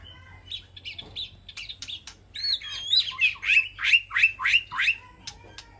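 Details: White-rumped shama in an aviary, calling to its flock. Soft short notes lead into a loud series of rich, swooping whistled phrases repeated about twice a second. A low steady hum runs beneath.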